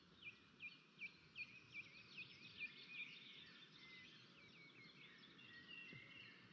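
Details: An osprey (Pandion haliaetus) at its nest in Estonia on 13 May 2024, as a crow attacks the nest, gives a quick run of sharp, high whistled notes, about two or three a second, blurring into continuous shrill chatter, with steady hiss.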